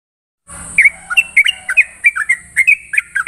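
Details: Following a moment of silence, a sooty-headed bulbul sings fast, bubbly whistled notes in the morning ropel style, with a faint low rumble and a high hiss behind it.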